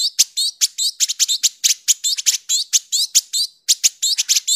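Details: Village indigobird giving harsh, tightly packed chattering: rapid high chirps and short rising notes, about 140 per minute, broken by a brief pause near the end.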